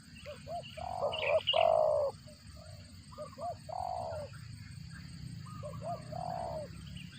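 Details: Spotted dove calling while feeding its chicks, its voice likened to a cricket; soft, low hooting coos in short groups, some notes doubled, with faint higher chirps and a steady low rural hum behind.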